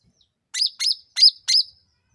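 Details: Sooty-headed bulbul calling to provoke rivals into a quick response. Four bright, emphatic chirps about a third of a second apart, each with a sharp rise and fall, in otherwise quiet surroundings.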